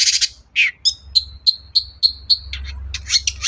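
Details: Long-tailed shrike (cendet) singing to provoke a quiet bird into answering: a slurred scratchy note, then a rapid series of clear, evenly spaced high chips, closing with buzzy chattering phrases over a faint low hum.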